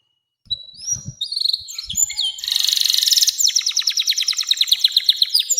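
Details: Canary singing a long sustained song meant to prompt young canaries and serve as a tutor: after a few soft notes, a bright whistle leads into a dense buzzy burst, then fast rolling trills.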